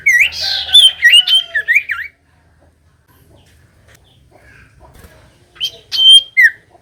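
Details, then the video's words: Common iora singing, meant to stir reluctant birds into song: a lively two-second burst of zigzagging whistles and slurred notes, near silence, then a short whistled phrase closing on a downward slur. "Pancingan Cipoh Gacor‼️Paling Manjur Burung Cipoh Malas Bunyi Langsung Nyaut"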